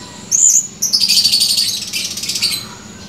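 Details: Male blue-crowned hanging parrot calling actively, recorded 17 July 2020: one sharp high squeak, then a fast run of buzzy, twittering high chirps lasting nearly two seconds before stopping abruptly, over a quiet background.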